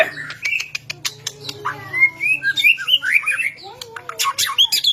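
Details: White-rumped shama song for stimulating other shamas, a rapid stream of short rising whistles and clicks in quick succession, a low continuous hum behind.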